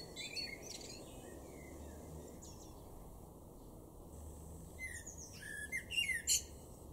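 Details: A male blackbird in a garden in Weener, East Frisia, northwest Germany, in April 2022, gives short bursts of high, squeaky twittering phrases with scattered chirps over a steady low background rumble.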